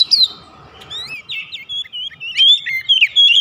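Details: Short stretch of oriental magpie-robin lure song for house-kept birds: a low rumble at first, then a string of clear, looping whistled notes rising and falling.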